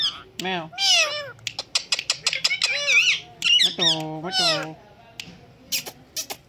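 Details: Talking Indian green ringneck parakeet indoors. It gives a stream of speech-like chatter mixed with sharp clicks, wavering whistles and a long buzzy squawk, then quieter taps.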